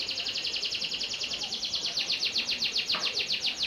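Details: Panda canary sings a sustained run of evenly repeated sweeping notes, about eight per second, steady in loudness throughout.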